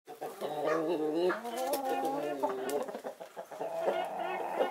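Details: Chickens of Naked Neck, Marans and Easter Egger breeds enjoying winter sun give overlapping harmonic clucks and drawn-out murmuring calls, several birds calling at once with faint background rustling.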